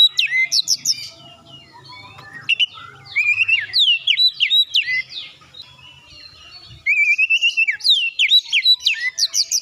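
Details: Oriental magpie-robin song used to set other birds singing: rapid sharp whistled notes and slurred phrases, a softer stretch with faint low hum, then a dense loud series of whistles.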